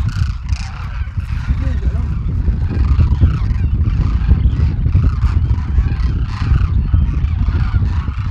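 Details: Wintering flock of about 12,000 Demoiselle cranes foraging in fields near villages in Rajasthan, India, makes a continuous chorus of overlapping rolling, honking calls over a heavy low rumble.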